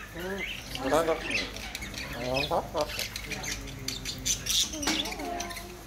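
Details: Pet African grey parrot talking, a string of short speech-like warbles and squawks with a few sharp high notes, alongside human speech in the room.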